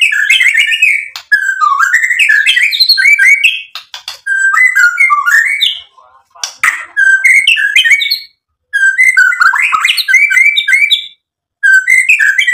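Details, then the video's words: Energetic white-rumped shama song, a repertoire-rich outpouring of bright whistles, rising and falling slurs and sharp chips in fast bursts of a few seconds, separated by short silences. "MURAI BATU GACOR MEMANCING EMOSI JADI NYAUT BUNYI BONGKAR MATERI ISIAN"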